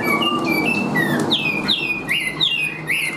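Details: Tame Chinese hwamei in a cage, singing while carried on the hand. Clear whistled notes step downward, then sharp upward-sweeping whistles repeat rapidly, with faint background hum.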